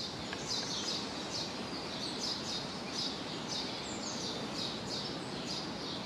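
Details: At Choupal in Coimbra, a common blackbird (Turdus merula) gives a regular series of high, thin call notes roughly every half second, set against constant broadband environmental noise.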